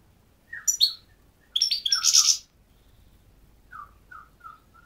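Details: Goldfinch singing: short bursts of bright, buzzy twittering trills high in pitch, with soft descending chip notes between phrases and a quiet pause before a final series of faint slurred notes.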